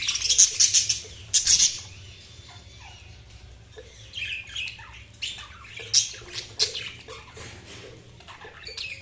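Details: Budgerigars chirping: high, scratchy chirps and squeaks in scattered bursts, loudest at the start, with quieter warbled notes between.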